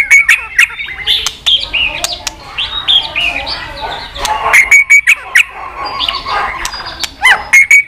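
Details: White-rumped shama clicking continuously, used to stimulate weak-spirited shamas; repeated sharp clicks between bright whistled notes and jumbled warbling phrases, with brief quiet gaps.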